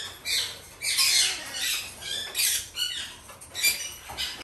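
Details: Three captive young red-shouldered macaws, female chicks still being hand-fed, producing rough, grating squawks in quick uneven succession, roughly one per second, in a small indoor space.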